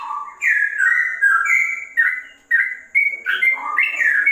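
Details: Sooty-headed bulbul song with a straw-headed bulbul flavour, a steady stream of clear, liquid whistles that step between higher and lower pitches, each note a short slurred phrase.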